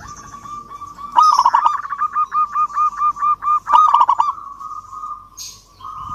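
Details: Local zebra dove sings to challenge a rival, two quick stuttering trills each followed by evenly spaced, hollow cooing notes, roughly four per second, then a sustained low trailing coo.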